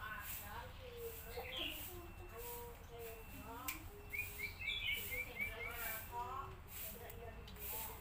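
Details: Yellow-vented bulbul heard on a lure recording played to train young caged birds: a busy run of short chirps and slurred notes. Lower tonal whistles and steady background hiss run beneath.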